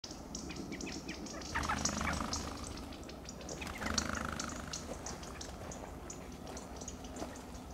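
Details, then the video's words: California quail in Del Monte Forest, California, giving alarm calls as they flush away from danger; a burst of rapid, sharp repeated notes with whirring wing noise of birds taking flight, around three to four notes a second, over a low rumbling background. "Alarm calls and Flight of the California Quail"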